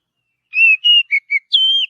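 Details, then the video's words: Oriental magpie-robin whistling naturally in forest, a short clean phrase of two level whistles, two quick lower notes and a longer high drawn-out whistle, with no background sound. "Kicauan Kacer Alami Di Hutan"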